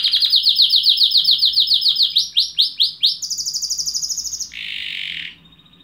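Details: Canary song built from rapid trilled tours: a long run of repeated notes, each sweeping upward, then slower looping phrases, a higher buzzing trill, and a closing harsh, steady buzz before silence.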